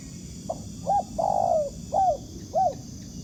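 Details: Spotted dove, a wild bird cooing back at a trapper's ground decoy: five low notes, two quick clipped ones, a long sustained coo that slides downward, then two more rounded notes, with faint background hiss.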